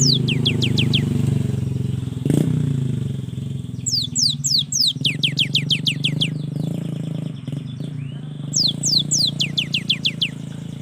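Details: Young cinereous tit singing to trigger reluctant birds: repeated bursts of fast, high, falling notes in series of six to ten, over a steady low engine-like rumble throughout.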